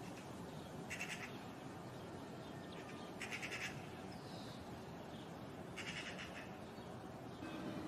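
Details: Eurasian magpie (Pica pica), one of a pair nesting in a courtyard in spring, giving alarm calls, possibly at a cat: three harsh, dry rattling chatters, each about half a second long and roughly two and a half seconds apart, over steady background hiss.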